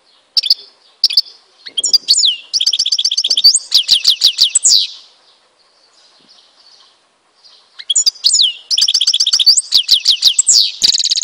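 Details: Algerian European goldfinch from Tizi Ouzou in full song. Two long phrases of fast, tinkling, metallic twitters and rolling trills mix with rising and falling slurred notes, split by a short pause.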